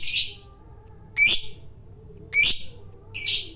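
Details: Sharp, shrill squawks from a fighter lovebird, four brief raspy bursts spaced about a second apart over quiet background.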